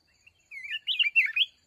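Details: A red-whiskered bulbul from the mountains, at a fighting trap with a decoy bird, gives one quick bubbling phrase of three or four loud, rolling whistled notes that swoop up and down.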